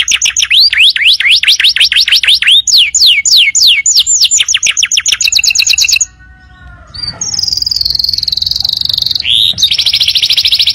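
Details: Canary song used as a tutor recording for training young birds: loud rapid series of rising whistled sweeps, then fast high trills and a sustained buzzy tone after a brief pause.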